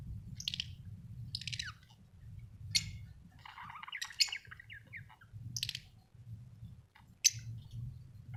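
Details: Chirping budgerigar, an Australian bird: sharp high chirps roughly every second or two, with a short scratchy chattering run in the middle, over a low background hum.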